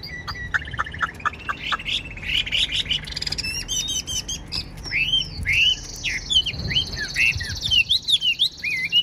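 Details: Caged Chinese hwamei, fan-tailed and nearly tame, in unbroken song: short clipped notes giving way to loud, varied, swooping whistles and rich warbled phrases, high and bright.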